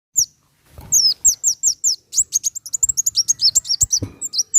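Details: Van Hasselt's sunbird song played to stimulate caged birds to sing: rapid runs of high, thin, sharply down-slurred chips and twitters, speeding into a dense chattering series near the end, with soft low knocks underneath.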